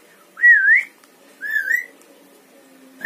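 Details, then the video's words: Clever Javan myna, a talking bird that imitates words and whistles, produces two loud curving whistles about a second apart, the first dipping and rising, the second rising at its end, while a man talks. "Jalak kebo pandai bicara"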